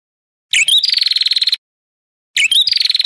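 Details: Ashy tailorbird song meant to provoke competing birds: two phrases, each a twisting upward chirp running into a rapid, even, buzzy trill that ends abruptly. Quiet background.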